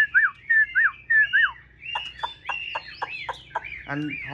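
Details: Chinese hwamei in a cage sings clear slurred whistles that dip downward, four in a row, followed by a quick series of hard, down-stroked notes.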